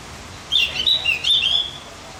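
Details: Javan grey-throated white-eye, song meant to stimulate other birds: one short, rapid warbled phrase of high chirpy notes lasting about a second, over steady faint hiss.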